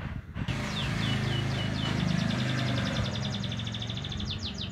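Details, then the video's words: A young Javan munia learning to sing gives rapid series of thin, high chirps, several per second, over a steady low rumble of traffic-like noise. "anak emprit kaji belajar ngeriwik"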